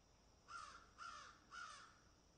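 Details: Three loud, hoarse caws about half a second apart, from crows busy picking and eating, over a quiet background.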